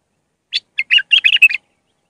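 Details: Short Mandali-style song phrase of a raw Iraqi bulbul for teaching chicks: one sharp chirp, then a hurried sequence of rich, rolling notes, about a second long.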